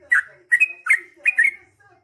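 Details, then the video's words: Yellow-vented bulbul singing a lively 'ropel' chatter meant to make other bulbuls reply, with four quick bubbly chirped phrases, some with a drawn-out whistled tail, then a short silence. "KICAU SUARA trucukan gacor GARUDA ROPEL PANJANG"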